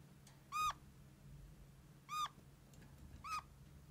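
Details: Pet red-crowned parakeet making plaintive squeaking calls likened to a small kitten's mewing: three short, sharp squeaks with a downward slur, about a second apart, over a steady low hum.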